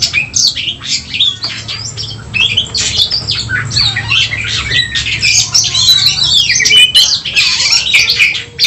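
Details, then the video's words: Oriental magpie-robin singing in fighting mode to stir emotion: harsh squawky notes mixed with warbled whistles and fast chatter, steady and agitated throughout, over a low hum. "Ampuh dongkrak Kacer tarung bongkar emosi"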